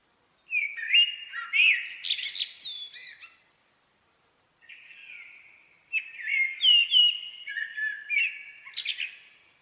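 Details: Common blackbird with two loud, flowing song phrases of mellow flute-like notes capped by thin high squeaks, separated by a pause and a soft murmured fragment.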